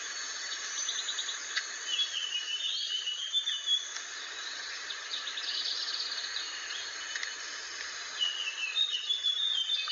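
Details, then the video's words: Rare, protected blue flycatcher from Aceh, a bird becoming scarce through heavy trapping and forest loss. Sweet whistled warbling phrases waver up and down mid-clip and return near the end, over steady hiss and insect-like chirping. "burung sikatan aceh yg langka"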